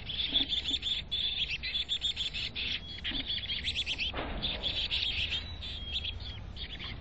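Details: Chickadees at a nest box in North Vancouver give dense, high, thin chirps and twitters, almost continuous and overlapping, with a few brief pauses and one short rushing noise midway.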